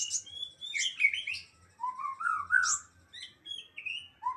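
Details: Young Javan white-eye learning to sing: a jumbled run of short chirps and thin whistled slurs, some high and sharp, others lower and sliding upward, broken by brief pauses, with a faint low hum behind.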